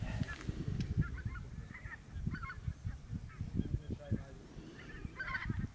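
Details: Lesser white-fronted goose at Camperduin, the Netherlands, amid a goose flock: a chorus of high yelping calls, many overlapping, with a constant low rumble of wind or traffic underneath.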